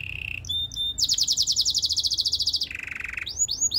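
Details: Canary training song: a steady low trill, two short metallic notes, a long bright rolling trill, a lower buzz, then swooping whistles.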